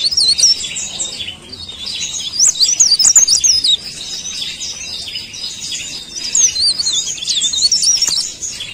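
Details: Leaf warbler singing vigorously: a high, fast warbling of twisting, squiggly notes in several loud phrases with short quieter gaps between them.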